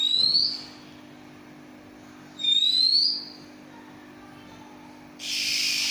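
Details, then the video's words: An owned Oriental magpie-robin, known locally as kacer and praised for its unusual continuous singing, gives two bright upslurred whistles about two seconds apart. A loud rushing hiss follows near the end. "Burung Kacer terunik suara nya ngacor"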